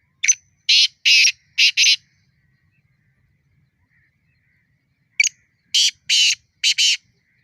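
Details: Black francolin, known in Hindi as kala teetar, giving its fighting challenge call twice: each phrase is a sharp clipped note and then four grating, rasping bursts. The phrases are about five seconds apart, with quiet in between.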